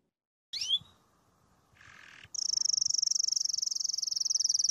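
A crested canary sings a quick whistled sweep and a brief buzzy note, then a long, very fast, high rolling trill.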